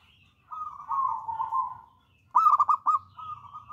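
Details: Bold, persistent local wild zebra dove singing a long, wavering purr followed by a bright burst of about five bubbling coos and a trailing hum.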